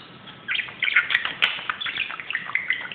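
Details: Lively indoor budgie on a closet starts up after a brief quiet moment, then chatters with scratchy warbled notes, squeaky chirps and a couple of sharp clicks.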